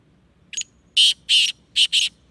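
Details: Black francolin, the Sindhi kala tetar; a short grating phrase of five raspy, high notes, a faint lead-in followed by two longer rasps and a quick double, lasting about one and a half seconds in quiet surroundings.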